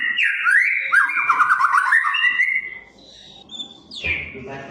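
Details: White-rumped shama singing as tutor material for captive shamas: a brisk rolling whistled phrase with quick wavering notes, fading into a soft gap, followed by a high thin note and a steep downward-sweeping whistle.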